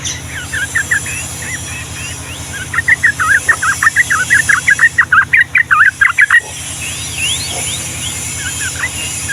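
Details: Long ropel song of a yellow-vented bulbul, Ngombak Banyu style: a fast, unbroken run of bubbly, chattering notes lasting almost four seconds, framed by softer chatter and rising whistles, with a low constant hum.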